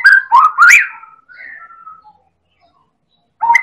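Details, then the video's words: Medan white-rumped shama, a prolific champion-class singer, delivering a lure song that prompts other birds to sing: strong rising whistled phrases, then softer trailing notes, a long silence and a fresh burst at the end. "Pancingan Burung Murai Batu Medan Super Gacor"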